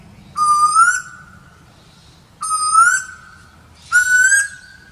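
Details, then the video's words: Asian koel (Eudynamis scolopacea) giving three loud, clear whistled notes, each sliding upward then levelling off, spaced about one and a half to two seconds apart, over a quiet background with faint low hum. "Sound of Asian Koel Bird -Tuwur Asia"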